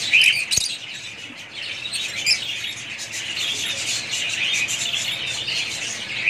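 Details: Pet budgies chatter steadily in a busy stream of high, overlapping twitters and chirps, with a single sharp click early on and no pauses.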